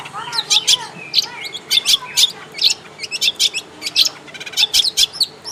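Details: In its natural habitat, a long-tailed shrike sings a quick sequence of sharp, high, separated notes mixed with short whistled slurs, delivered in irregular bursts about every half second.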